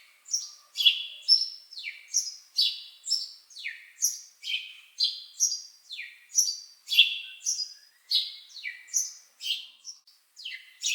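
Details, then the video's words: Energetic bird chirping, about two high, falling chirps per second, varied slightly in pitch and loudness, in a steady stream over a quiet background. "Bird Chirping Sound"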